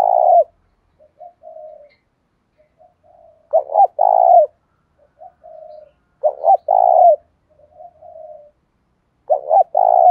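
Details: Spotted dove with a 'giọng thổ' voice, cooing to push new wild-caught birds to answer and fight. Three full phrases come roughly every three seconds, each a stuttered double note then a long hollow coo, with faint soft notes between.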